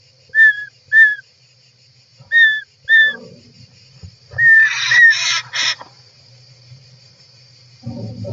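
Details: European roller in its nest, filmed from inside on 18 July 2024: pairs of short falling whistles, then a louder rougher call burst and later rustling in the nest.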